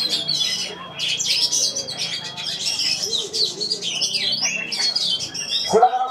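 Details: At the Piala Candi Prambanan contest, an Oriental magpie-robin (kacer) delivers a continuous bright song of high chirps, quick slurred whistles and trills, with voices of spectators audible in the background.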